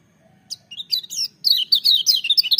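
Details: Shrill, powerful singing from a lemon-bellied white-eye, starting with a few spaced high whistles and accelerating into a quick string of bright, repeated warbling chirps, over a soft low hum.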